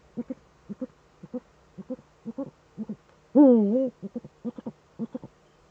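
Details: Eurasian eagle-owls calling as a pair, the male at the nest, in Germany's Eifel at 20:28 on 7 April 2013; evenly spaced low double hoots with one drawn-out, raspy, wavering call in the middle.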